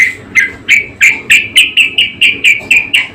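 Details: Budgerigar, called parkit or kesturi locally: a repeated high chirp about every quarter second, each note a sharp descending chip, steady run of about eleven notes over a quiet low hum.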